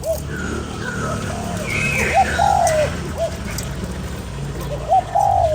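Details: ['Spotted dove calling to excite a lure bird, giving a three-note coo phrase with a drawn-out falling middle note, then the start of a second phrase; faint other birds whistle higher and a low hum persists.']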